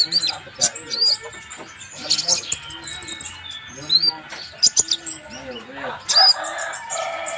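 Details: Van Hasselt's sunbird (kolibri ninja) singing strongly for use in training birds: clusters of high, squeaky twitters and short shrill whistles. Soft lower arching tones sound beneath.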